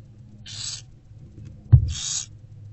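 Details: Barn owlets fed by their mother in daylight inside an owl box, 15 February 2024: two loud, breathy hissing bursts with a dull thump between them, against a faint steady hum.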